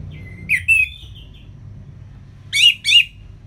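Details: Ngeplong-style song of an Orange-headed thrush from Singaraja, northern Bali, played to coax lazy birds into singing: two short bright whistled phrases with a soft trailing warble, a pause, then two more loud clipped notes.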